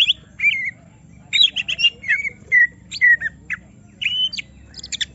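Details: Provoked greater green leafbird singing excitedly: varied squeaky whistles and slurred notes mixed with quick chattering bursts and high ticks, delivered irregularly.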